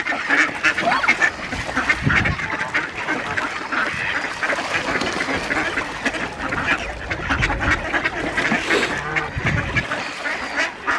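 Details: Ducks gathered at feeding time on Diss Mere, England, in mid-December 2022, outnumbering two geese; a constant jumble of raspy quacks from many birds, broken by occasional low thuds or splashes.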